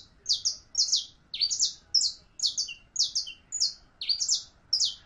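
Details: Song of a saffron finch (canario criollo): paired sweet chirps delivered in steady phrases roughly every half second, each note dropping slightly in pitch, against a quiet background.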